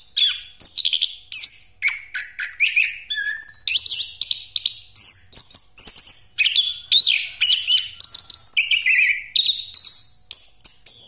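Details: Orange-headed thrush in rolling song, used as a lure for other birds: a fast, varied run of loud whistled and chattering phrases jumping between high and very high pitches, with almost no pauses across the stretch.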